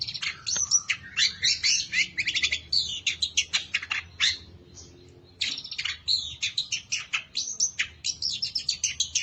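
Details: Competition long-tailed shrike delivering a dense mimicry-filled song meant to call rivals to fight: fast bursts of sharp high chips and rattles, a brief pause midway, then more rapid staccato notes.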